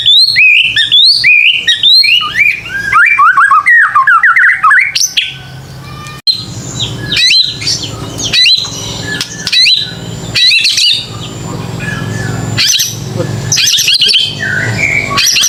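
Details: Rich, fast white-rumped shama song from a lure for young birds: tumbling varied whistles and chirps at first, then scattered sharp notes and squawks over a low background rumble.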